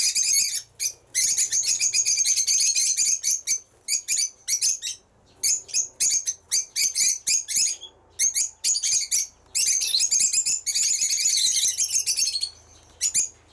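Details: Pet lovebirds chattering loudly and shrilly, rapid stuttering squeaks and longer dense screechy runs, with only brief breaks throughout.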